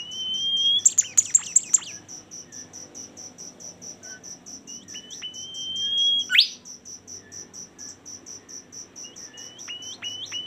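Long, thin, steady whistles ending in sharp downslurs, with a few quick upward chips, over a constant fast pulsing insect trill.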